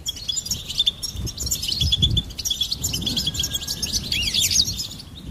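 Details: A goldfinch sings a fast, lively twitter of high notes and sliding trills, while soft low thumps sound in the background.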